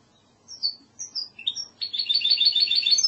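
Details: Song of a goldfinch hybrid in the classic Andalusian singing style: a few separate high slurred whistles, then a rapid, continuous buzzy trill of repeated notes.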